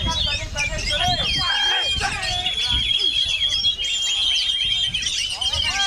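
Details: In strong wind, an oriental magpie-robin pours out quick varied whistles, trills and chattering notes. A sustained high tone and gusty low rumble are also present.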